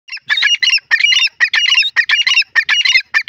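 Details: Grey francolins, called dakni or dasi teetar: harsh, squealing notes given in quick bursts of two or three, repeated about every half second throughout, with no other clear sounds.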